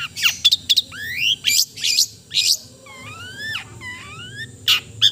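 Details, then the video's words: Long-tailed shrike (cendet) singing melodiously: sharp high chips followed by sweeping rising whistles, then a pair of long slurred notes gliding up and down, with a faint steady hum beneath. "the melodious sound of the cendet bird"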